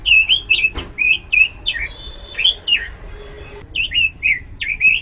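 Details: Loud, varied song of an Oriental magpie-robin: sliding whistled notes in quick groups, a sharp click near the start and a brief pause before the whistles resume.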